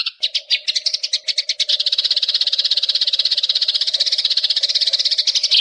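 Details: Eurasian tree sparrow recorded as a training recording for songbirds: dense, fast chirping chatter, high-pitched and rasping, starting as separate chirps then running into a continuous stream of about three notes per second, with a steady low hum underneath.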